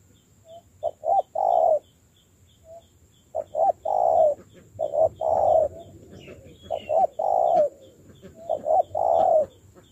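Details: Spotted dove, a wild-caught bird in decoy training. It repeats a cooing phrase of two or three quick low notes and a long rounded coo, about every two seconds. Faint ticking sounds lie in the background.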